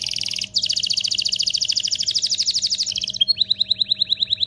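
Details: Excited canary song to prepare females and males for breeding: a short high trill, then a long bright rolling trill, ending in a run of crisp repeated notes; faint low hum beneath.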